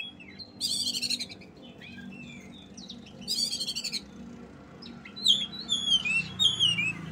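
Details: Oriental magpie-robin singing loudly: short bursts of harsh rattling trills separated by varied whistles, ending in a run of bright, descending slurred whistles.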